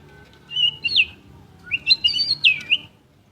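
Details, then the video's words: White-rumped shama, a champion bird singing in full voice, gives a short whistled phrase, then a longer run of bright, rising and falling whistles with quick slurred notes. A low hum is heard faintly underneath. "Murai Batu Gacor Juara: Kicauan Penuh Gaya dan Energi"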